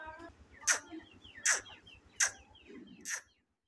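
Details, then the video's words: Grey francolin calling: loud, harsh notes repeated about every three-quarters of a second, each a sharp downward-sweeping burst, four in a row, with a low steady hum beneath. "Dhakni teetar voice // teetar song"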